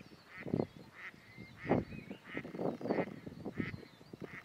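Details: Ferruginous duck at Hraški mlaki, Hraše, on 26 March 2023, giving low, harsh, rasping calls in short bursts about one per second, with a faint thin whistling note in the background.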